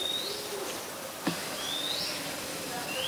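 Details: Oriental magpie-robin singing in Ubon Ratchathani, Thailand, on 26 December 2020, recorded with a Nikon P1000: clear, drawn-out whistled notes that swing upward at the end, repeated roughly every one and a half seconds, with one sharp click and steady background hiss.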